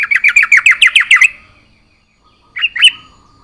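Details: Yellow-vented bulbul in vigorous gacor song, full isian: a rapid string of about ten even, bright chirping notes, a second of silence, then two louder warbled notes.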